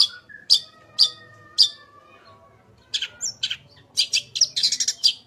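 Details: Long-tailed shrike singing varied fill-in phrases, recorded to prompt other shrikes to sing: three sharp high notes spaced half a second apart, a quiet pause, then clustered scratchy chirps and a quick whistled flourish.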